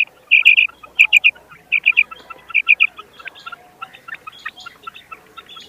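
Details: Common quail calling: crisp three-note phrases, each a quick run of bright liquid notes, repeated about every 0.7 seconds, followed by softer scattered chirps from other birds.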